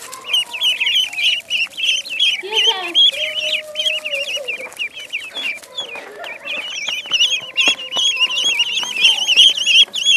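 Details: Duckling on a pond piping continuously with fast, high, quavering peeps, joined by lower, longer flat calls and a few brief knocks in the background.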